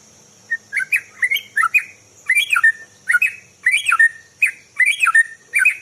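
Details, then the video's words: White-rumped shama in morning song, used to lure birds: short whistled phrases with sliding, rising and falling notes and high sharp accents, repeated every half second or so, with a steady high-pitched whine in the background. "Kicauan burung murai pagi hari bagus untuk pancingan"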